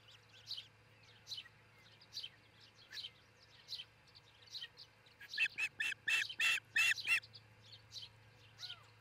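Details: Osprey couple at their nest in Charlo, Montana, captured by a nest cam before 6 a.m. on 22 June 2018: a rapid run of about seven loud, harsh, high chirps, with thin songbird whistles repeating throughout.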